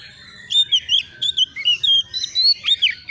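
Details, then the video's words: Young white-rumped shama singing in excited reply to a rival, delivering a fast chain of loud, slurred whistled notes with bending pitch, around a dozen in under three seconds. "SEKETIKA ITU KACER BAKALAN LANGSUNG NYAUT EMOSI KONSLET!!!burung Kacer cari lawan"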